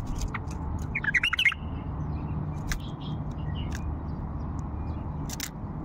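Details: An old Faw bulbul gives one brief, bubbling burst of chirpy notes, followed by a few scattered short chips, over a steady low rumble.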